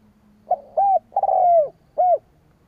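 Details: A single full spotted dove phrase used as a lure for rival doves: a clipped coo, a smooth arched coo, a long stuttered coo gliding down, and a final rounded note, over a faint low hum.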